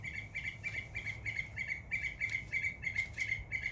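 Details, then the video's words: Summer backyard bird chirping: a fast, evenly spaced string of short, bright chirps, about three per second, continuing throughout, with light rustling or fluttering in the background. "Birds Chirping Sound"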